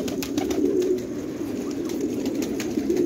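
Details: Fighting tumbler pigeons, Khanabad, Afghanistan: soft continuous low cooing from a group of birds, with light scattered clicks throughout.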